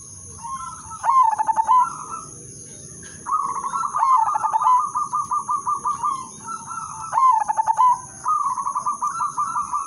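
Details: Melodious zebra dove lure song for prompting other doves: three loud bubbling coo phrases spaced about three seconds apart, linked by long runs of rapid, evenly pulsed softer cooing, with a steady high electronic whine.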